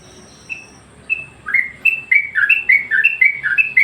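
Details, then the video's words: Yellow-vented Bulbul used as a master song to train other birds and get them worked up: after a quiet start, short bubbly whistled notes begin, then quick rising and falling chirps follow in a lively, uneven run. "masteran burung Trucuk bikin emosi burung yang lain"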